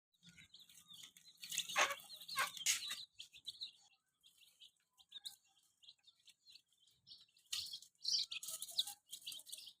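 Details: Colourful baby chickens playing with a remote car and balloons give bursts of high, thin peeping chirps from several chicks at once, busiest in the first three seconds and again near the end, with quieter scattered peeps between.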